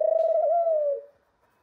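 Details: A young male ringneck dove kept as a pet, reaching puberty, gives a single low, smooth cooing note lasting about one second. It is steady, then dips slightly and fades, followed by quiet.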